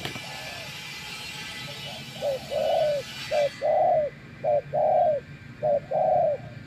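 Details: Spotted dove call from a wild bird answering a decoy: four paired coos, each a short note then a longer rounded one, regularly spaced, with steady background hiss fading partway through.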